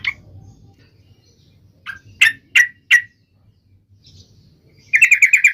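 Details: Sooty-headed bulbul (trucuk) gives a few sharp, separate chip notes, then after a pause a fast run of rapid repeated bubbling notes, over a faint low background hum.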